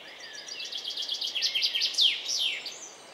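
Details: Song thrush parents feeding their four young in a nest about 10 m high: a quick run of thin, high chirps, some sliding down in pitch, about two or three each second, over faint background hiss.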